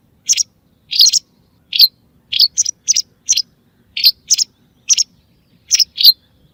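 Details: White wagtail, recorded for hunting lure use: sharp, high twittering chirps, singly and in close pairs, in a steady series with no other sounds.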